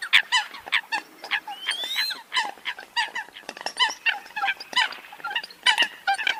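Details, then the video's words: Eurasian coot flock chattering in nasal, honking notes packed closely together, broken by a sharp rising squeal near the two-second mark. "tiếng chim sâm cầm"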